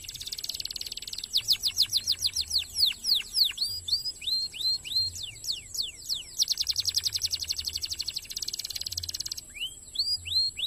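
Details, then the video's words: Canary singing fast and tightly packed, used to train competition songbirds. Rapid descending whistled sweeps alternate with long, very fast buzzy trills and a few rising swoops. A constant high whine and low rumble run beneath. "Best Canary singing-kenari gacor speed rapat mantul untuk masteran burung lomba"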